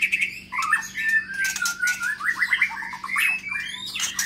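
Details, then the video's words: Caged long-tailed Medan white-rumped shama singing in an aviary, a fast, varied run of whistled and chattering phrases, mostly mid-pitched, with sharp high clicks scattered throughout. "Senandung Kicau Murai Baru Medan Ekor Panjang Di Kandang Umbaran"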